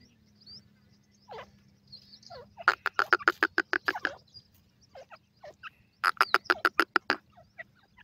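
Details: Francolin (teetar) chicks giving two fast bursts of harsh, rattling notes, about three per second, separated by quieter scattered chirps, over a low electrical hum.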